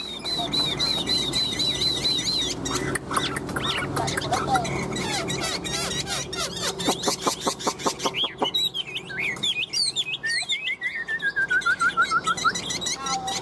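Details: A tame, hand-carried Chinese hwamei, healthy and high-standing, sings loud, varied phrases of rich whistles, rapid trills and slurred notes, ending in a falling series of whistles, over a background murmur.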